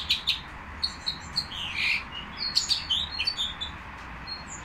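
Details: Nightingale singing at the Al-Qri'a bird market: high, quick chirps and short warbled phrases. A brief lower slurred note comes mid-way, and a steady background hum runs underneath.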